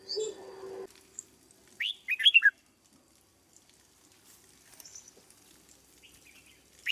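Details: Caged red-whiskered bulbul in lure-bird training: a brief low hum and a soft chirp, then a rich, quick warbled phrase of several rolling notes, followed by faint scattered sounds and a last rising note.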